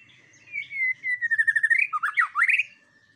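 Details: White-rumped shama song used as a lure to provoke other birds: a long descending whistled phrase followed by a rapid series of buzzy notes and loud upswept whistles, in a quiet setting.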